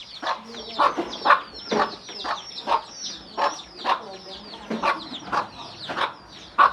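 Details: A hen summons her chicks to feed, clucking a gruff 'kuk' about twice a second. Chicks answer throughout with bright, downward-sliding cheeps.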